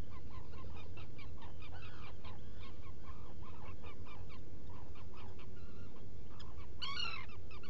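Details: Black guillemot in a rock-crevice burrow at Seal Island NWR, Maine, early on 18 June 2018; irregular short peeps and slurred notes, ending with a louder rising call, over a low hum.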